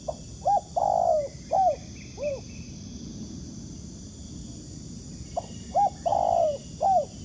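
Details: Two cooing phrases from a wild spotted dove lured by a ground decoy, each built from short hollow notes around one long falling coo, separated by a few seconds of quiet insect-like hiss.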